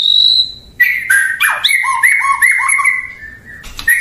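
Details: Murai batu, the white-rumped shama, gives a thin high whistle, then a burst of quick whistled notes with lower echoing notes and sharp clicks.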